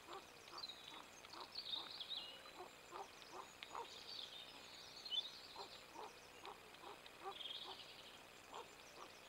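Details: Mallard on 7 March 2021 at 06:51 giving short, rough, low quacks two or three times a second, with high twittering from other small birds above.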